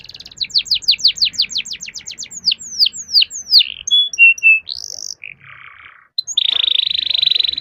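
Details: Canary in full long song, meant to prompt other canaries to sing: a fast run of about a dozen descending whistled notes that slow down, then varied short tones, a pause, and a steady rapid buzzy trill.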